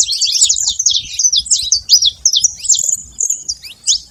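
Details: Saffron finch at a feeder, noisy: quick sequence of high sharp chips and slurred twitters, slowing slightly toward the end, with light low-pitched background noise.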